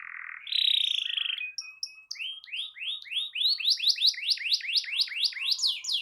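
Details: Canary song played to make a silent canary sing. A buzzy note and short chips lead into a long series of upward-sweeping notes, each repeated about every third of a second.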